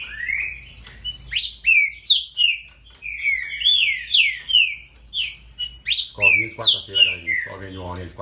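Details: A great-billed seed finch sings repeated swooping whistled notes roughly three per second in a lively stream, with a man talking underneath during the final seconds.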